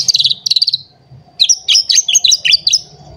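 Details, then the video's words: Singing while agitated and looking for a rival, a white-rumped shama gives a fast, high twittering trill, a pause, then a jumble of sharp high chirps and whistles over a low hum. "Pancingan Murai Batu Emosi Mencari Lawan Bikin Murai Lain Langsung Emosi Bongkar Isian"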